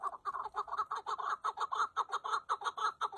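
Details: Chukar partridge giving a rapid, steady series of harsh clucking notes, about two per second, each note a short burst with a bright buzzy edge.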